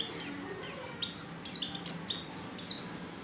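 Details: Lure call of a female Oriental white-eye, intended to set males singing: a few spaced, thin, high descending notes, the last one loudest, against a quiet background.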